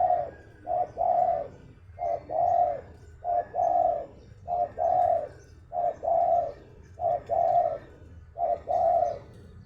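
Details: Spotted dove, a kept songbird, cooing steadily: low mellow two-part phrases, a brief note then a longer purring coo, repeated regularly about every one and a quarter seconds, eight times, over faint background hum.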